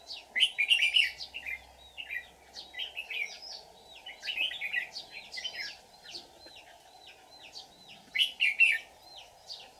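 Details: Red-whiskered bulbuls during trapping on 24 July 2019, a decoy singing a fighting song to attract wild birds. Repeated hooked whistles and bursts of bright warbling continue for about ten seconds, with a low steady drone behind.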